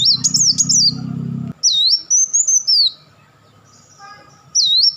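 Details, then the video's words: Crecetan of a Kolibri Wulung sunbird, its rapid chattering bursts used as master song for champion birds: high, warbling, dipping-and-rising twitters in quick strings, with a low steady hum under the first phrase and a pause before another burst. "crecetan dan tembakan beruntun Kolibri Wulung"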